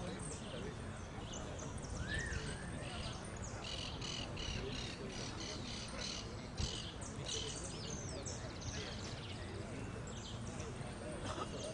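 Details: Saffron finch competing in the repique category of a singing contest winners' final, dated 12-01-14. Quick bursts of high, sharp chirped notes repeat over several seconds, with constant crowd chatter and other birds calling faintly around it.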